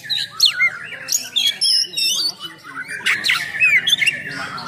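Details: Oriental magpie-robin with harsh, rough-filled 'full nembak' singing used to provoke and train other magpie-robins: scratchy squawking phrases mixed with sliding whistles and high thin notes, in uneven bursts.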